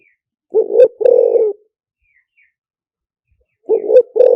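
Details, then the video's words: Spotted dove cooing in lìw tan style as a lure for wild doves: two low husky phrases, each a short rising coo joined to a longer steady one, separated by about three seconds of quiet. "เสียงต่อนกเขาใหญ่หมานๆ, เสียงนกเขาใหญ่ ต่อเข้าเร็ว เสียงหลิ่วตัน"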